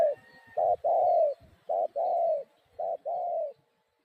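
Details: Spotted dove calling in low mellow coos grouped in pairs, each a short note followed by a longer drawn-out coo, three pairs in about four seconds.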